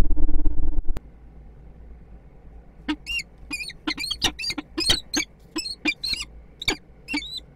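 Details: At a Kwidzyn nest in Poland on 29 September 2024, a peregrine falcon pair meets. A low rumble of noise cuts off, then sharp, harsh, high calls repeat rapidly and unevenly, several each second.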